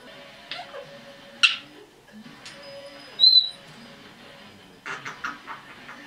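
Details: Pet red-bellied parrot, female, 10.5 months old, producing scattered clicks and soft notes, a steady high whistle, then a brief bright whistle and a quick series of chattery clicks.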